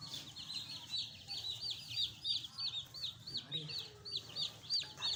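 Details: Pet chicks, a fresh batch alongside a hen: loud, regular peeping in quick pulses about three per second, some calls sliding up and down, over quiet low hum.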